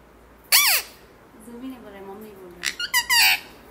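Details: Pet parrot talking indoors, a person coaxing it to say papa; sharp squawk, then lower warbled speech-like phrases, then a burst of quick harsh squawks and chatter.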